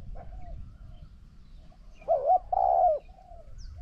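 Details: Spotted dove cooing in a decoy session against a wild bird that coos very well. Faint distant coos lead into one loud phrase: a short wavering coo, then a long level croo fading into a soft final note.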